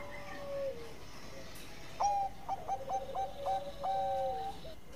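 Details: Zebra dove in song over steady background hiss, giving a sliding tone and then a burst of short staccato coos followed by a longer falling note.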